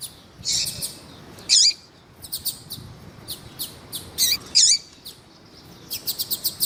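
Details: Double-collared seedeater male song mixed with female calls meant to excite males: loud buzzy chirps at irregular intervals, separated by soft ticking notes, and a rapid series of short clicks closing the passage.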